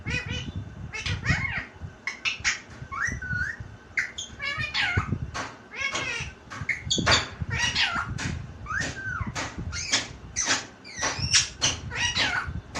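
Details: Pet talking parrot saying a phrase meaning "mummy, parrot, get up": a busy string of raspy speech-like syllables, whistled slides and squeaky notes, with clicks and room noise throughout.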